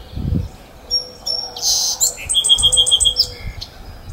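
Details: A Song Sparrow on Aptos Creek sings high, clear opening notes, then a buzzy burst and a quick trill of repeated notes, over a low rush of the flowing creek.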